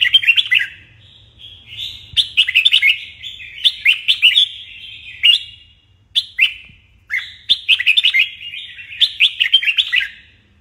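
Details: Red-whiskered bulbul singing its morning training song for competition singing: a steady series of bright, bubbling whistled phrases, each several quick slurred notes, coming every second or so, with occasional drawn notes and a quiet low hum.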